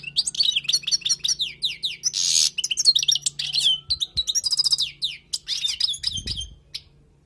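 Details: Goldfinch wild song recorded for teaching: a long, lively medley of rapid twittering, descending slurred notes and a harsh buzzy phrase, with one low thump near six seconds before it fades.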